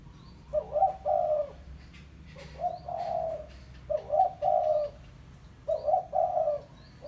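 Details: Spotted dove (tekukur pesom) calling a rival as a lure: four bold cooing phrases, each a short stuttered note leading into a drawn, husky coo, spaced about one and a half seconds apart.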